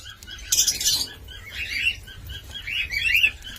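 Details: Cockatiel calling with short whistled chirps around the middle range, a brief harsh rustling burst near the start, then two wavering chirp phrases, over a low steady hum.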